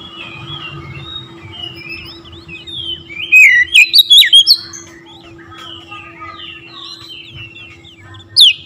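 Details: White-rumped shama singing, used to provoke other shamas: varied whistled phrases rising and falling, with a run of loud sharp notes near the middle and a final high burst, over a steady low hum.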